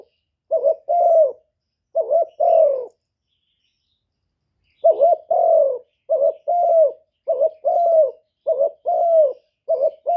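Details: Spotted dove kept as a lure bird, singing gáy gù style: soft hollow coos paired as a short rising note plus a drawn-out slurred coo, about fifty per minute, broken by a gap of two seconds.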